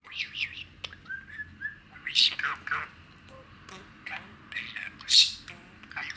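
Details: Pet male budgerigar, six years old, lively and excited indoors on a rainy spring day, chattering in quick high chirps, warbles and short squeaky notes over a steady low background hiss.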